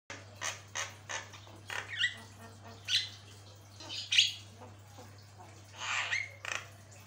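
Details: Jalak kebo, or Javan myna, in long-running tutor song: a string of scratchy chattering notes punctuated by occasional clear whistled slurs, over a constant low hum.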